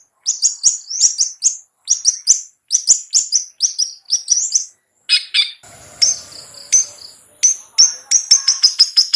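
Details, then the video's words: Long-tailed shrike in the ngetet singing style, used as a lure to get sluggish captive shrikes singing: bursts of rapid, high, sharp chips in quick clusters, then a run of thinner, steadier whistled notes. "SUARA CENDET NGETET‼️Pancingan Ampuh Untuk Burung Cendet Lelet Bunyi"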